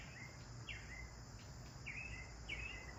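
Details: Bathing sparrows giving four separate chirps, each a quick high note sliding down, spaced unevenly over a few seconds against a soft constant hiss.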